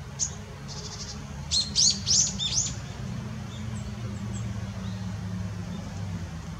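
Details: Long-tailed rosefinch, male and female, recorded 20 December 2016: a short burst of high, thin, buzzy call notes clustered near the middle, then quiet background hiss with low rumble.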